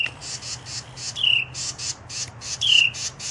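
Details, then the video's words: Carolina wrens nesting in a canoe scold a chipmunk to drive it away, giving a rapid run of harsh, buzzy chatter notes, about four or five a second. Two clear, falling whistled notes break in. "Carolina Wrens scolding a Chipmunk and protecting their nest"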